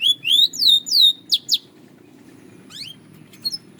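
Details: Belgian canary giving a few high, rising whistled slurs and two sharp notes, then a pause with faint low background hum and a couple of brief high chips near the end.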